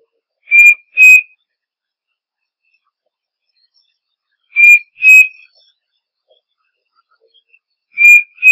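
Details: Striped cuckoo repeating its two-note whistled song three times, each pair of pure, level notes spaced roughly every three and a half seconds, in an otherwise quiet setting.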